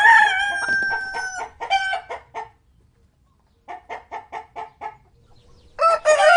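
A rooster gives a drawn-out, hoarse crow, followed by runs of short, quick clucks and a final loud squawk.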